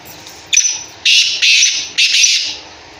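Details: A caged Black francolin stands in one spot and gives a harsh, grating call of four rasping notes, each under half a second, in quick succession. Faint room noise is behind it.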